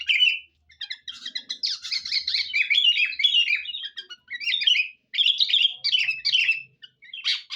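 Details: Sooty-headed bulbul used as a lure, singing loudly and continuously: rapid bright chattering phrases mixed with clear whistled notes, with brief pauses between bursts.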